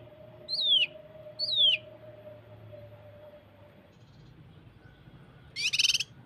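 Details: Common iora (cucak kinoi) in a masteran training recording of 'tembakan' phrases, used as pancingan to get birds singing: two clear, sharply descending whistles about a second apart, a long pause, then a brief buzzy, rattling burst; faint steady hum behind.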